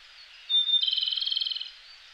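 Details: Japanese robin heard somewhat farther off, singing at dawn in a Koshin mountain forest in May; a thin whistled note, then a long rapid rattling trill of around sixteen pulses lasting about a second, before quiet returns.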